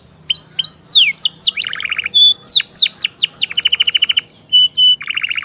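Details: Canary singing in a recording meant to get a silent, sluggish canary singing again: bright downward-swept whistles alternating with quick rattling trills and clipped high notes, loud and continuous, a faint low hum behind.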